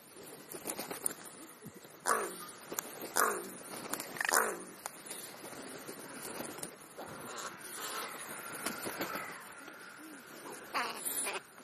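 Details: Crow cawing while feeding between breakfast and lunch: three loud, raspy caws about a second apart, then quieter scattered clicks and rustles outdoors.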